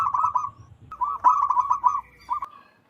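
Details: Wild local zebra dove, loud and used for trapping lures, giving rapid rolling coo notes, a pause, then a vigorous staccato run ending in a single short note.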